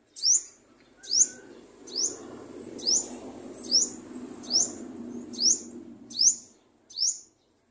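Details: Garden sunbird, the olive-backed sunbird, feeding its baby: thin, bright, rising tweets repeated roughly every second, eight in a row, over a soft low background hum.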